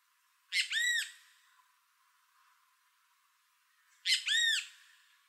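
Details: Great Kiskadee in Costa Rica, calling while feeding: two loud bursts about three and a half seconds apart, each of harsh, arched, ringing notes in quick succession, with quiet between them.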